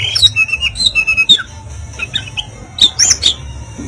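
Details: Harsh 'kasaran' song of an Oriental magpie-robin, intended to provoke rivals into puffing up: quick run of short high whistles and chips, a pause with faint notes, then a louder burst of sharp, rising notes, with low background hum.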